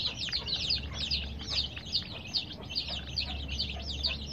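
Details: Colored baby chicks peep in quick, regular, high-pitched notes, roughly two or three a second, each a short sliding chirp over a faint low hum.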